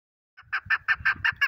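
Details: Chukar partridge giving a quick series of six clucking chuk notes, evenly spaced about every fifth of a second, fairly faint with low background rumble.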